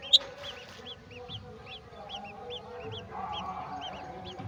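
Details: Golden oriole bringing a mantis to its young at the nest. A regular series of brief rising-falling chirps runs throughout, with one sharp click near the start and a steady low droning background.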